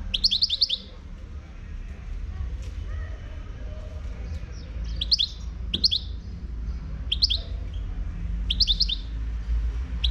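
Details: Moroccan 'khlawi' European goldfinch giving short clusters of sharp, high tinkling notes, roughly every one to two seconds, over a steady low hum of background noise.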